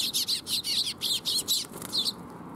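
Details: Rapid, loud series of high chattering chirps from a young sparrow, about ten notes in two seconds before it stops. Recorded at Mizukami Bridge on 5 June 2021.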